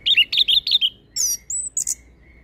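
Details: Orange-headed thrush (anis kembang) in full song for bird training: five fast warbled notes in a row, then thin high whistles and a drawn-out arching note.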